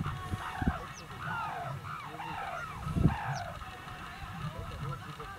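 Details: Sarus cranes give loud trumpeting clarion calls, a rapid overlapping series of arched bugling notes, at Dhanauri Wetlands, Greater Noida, India, over low rumbling background from a tractor playing loud music, and a few thumps.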